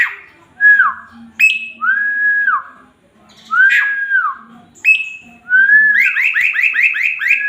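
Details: Tutor male Asian pied starling (jalak suren) singing: clear falling whistles separated by sharp squeaky accents, closing with a fast rattling series of about eight rising notes.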